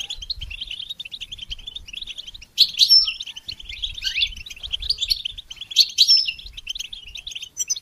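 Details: Goldfinch song played to stimulate and train songbirds: dense, fast twittering of high chirps and trills, with louder bursts of sharp notes and brief whistles near three and six seconds, plus faint low rumble.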